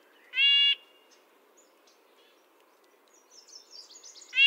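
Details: A single nasal, trumpet-like note from a red-breasted nuthatch, then a second note cut off at the end, with soft high chatter from other birds in between.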